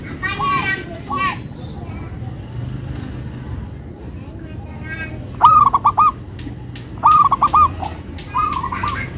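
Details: Local zebra dove singing melodiously. Short bursts of four to five quick, stuttered coo notes recur several times. A harsher, buzzy bird call with rich overtones sounds at the start, and another appears later.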